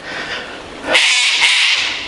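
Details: Wild cockatoos up in the trees beside the 1000 Steps track at Ferntree Gully in the Dandenong Ranges, Australia, give a harsh, grating screech that bursts in loudly after a softer stretch and holds, rasping, to the end.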